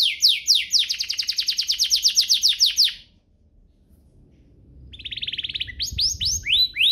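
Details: Canary song for rousing other canaries to sing: a long rapid run of descending notes, a silent gap, then a short trill and upslurred sweeps.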